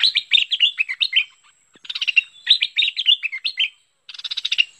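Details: Bulbul (merbah lekir) song used as a lure call: bubbly, chattering phrases of quick, slurred notes in bright, mid-high bursts with short pauses.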